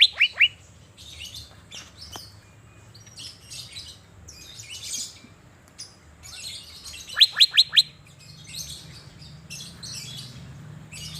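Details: Caged Asian fairy-bluebird sunning in Banjarmasin gives brief bursts of loud rising whistles, a pair at the start and a quick run of four later, with faint chirping and low hum between.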